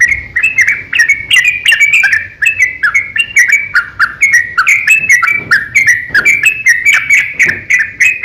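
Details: Sooty-headed bulbul aggressive ropel song, a long lure meant to stir other bulbuls into singing. An unbroken stream of bright, bouncing chirps runs the full length, the notes shifting up and down in pitch at a rapid, irregular pace.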